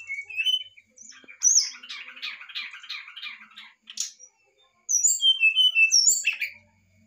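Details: Brown-chested jungle flycatcher in varied fluting song to encourage a lazy bird to sing: high whistles, a long rapid warbling rattle, a brief gap, then a run of clear descending whistles and a harsh chirp.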